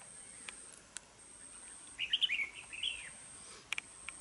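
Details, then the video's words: Harsh-voiced caged red-whiskered bulbul, a decoy bird for fighting and trapping in Đồng Nai, Vietnam. It gives a lively chattering phrase of sharp, bubbling notes lasting about a second. A thin high insect hum and a few clicks run behind it. "Bẫy đấu chào mào vip | nhậy đuôi xoè mềm , siêng mỏ giọng gắt , hay bung xoè"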